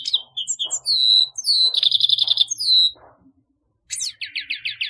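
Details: Grey-headed goldfinch song: a run of quick high twittering notes and short buzzy trills, a brief pause, then a fast rippling series of liquid chirps.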